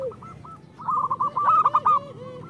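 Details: Local zebra dove with a so-called crystal voice, used as a tutor to prompt lazy birds to sing: a soft low note, then a run of quick, clipped mid-pitched cooing notes.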